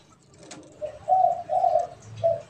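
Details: Pet and wild spotted doves answering each other; a single mellow cooing phrase of four hollow notes, the middle two long and loud, the last short and softer, against a quiet background.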